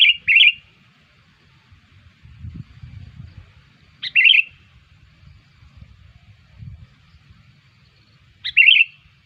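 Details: Lure call of a sooty-headed bulbul for drawing in other bulbuls: three brief, bright bubbling phrases spaced roughly four seconds apart against a quiet background with faint low rumbles.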